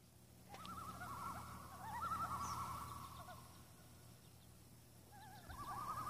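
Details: Common loons, seven birds on Intermediate Lake on August 6: rapid wavering, laughing tremolo calls in overlapping bursts, fading and returning, heard at a distance over a steady low background rumble.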